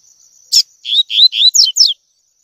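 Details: Tui tui song of a double-collared seedeater, played to train young birds. A sharp click-like note leads into three rising slurred whistles and two falling high notes. A thin steady whine continues in the background.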